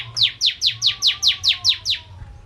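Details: Bar-winged prinia in lively song, used as a lure to prompt other birds to sing: nine sharp, high, downward-sweeping chips at an even pace of about four a second, with a faint steady low tone beneath.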